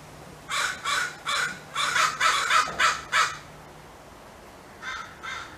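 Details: Crow cawing loudly in distress, calling other crows in the area for help and territorial alert: a rapid series of about eight harsh, hoarse caws, then a pause and two more caws near the end.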